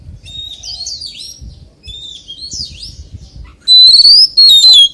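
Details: Oriental magpie-robin singing in the 'forest voice' style: soft, scattered chattering phrases give way to loud, pure, sustained whistles that slide upward and then drop in the last second.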